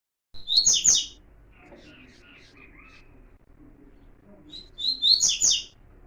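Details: Double-collared seedeater (coleiro) warm-up song in the Tui Tui puro style: two bright, high whistled-and-buzzy phrases about four seconds apart, each opening with a thin whistle then a burst of rich warbling notes, with softer faint twittering between.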